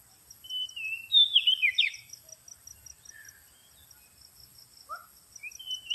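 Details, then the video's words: Oriental magpie-robin song as a lure: a clear whistled phrase with quick slurred twists, then near silence and a couple of brief rising notes, over a steady high-pitched hiss. "suara pikat burung kacer"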